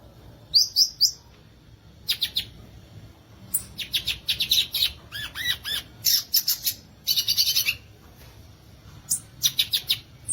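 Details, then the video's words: Violaceous euphonia singing a varied song of bright, high notes: a short burst of upslurred chips, then dense rapid runs of sharp chirps and a few lower slurred notes, in phrases separated by brief pauses. "Belíssimo Canto do Gaturamo Verdadeiro, ou Guriatã"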